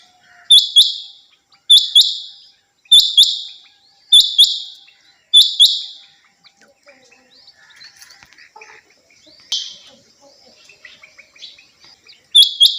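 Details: A female rain quail, kept as a hobby bird, gives sharp, high, doubled metallic notes about every second, then pauses; faint background chatter and scattered noises fill the gap.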